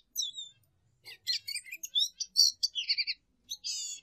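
A Lesser Goldfinch sings a rapid, jumbled run of high twittering notes, buzzy chatters and thin slurred whistles, packed into short bursts with brief pauses.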